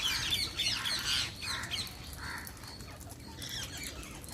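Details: Wild Indian parrots give harsh, rapid squawks and chirps, loudest in the first second and a half, then quieter scattered calls over a low rumble of background noise.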